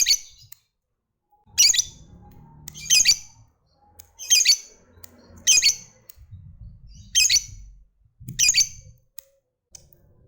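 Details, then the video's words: Lovebird kept as a lure to get other lovebirds answering with long ngekek trills gives loud, harsh, grating squawks, each burst roughly a second apart, over faint low background thumps. "SUARA BURUNG LOVEBIRD Gacor, JAGO NGETIK Bikin Lovebird Apapun Lekas TAMPIL NYAUT NGEKEK"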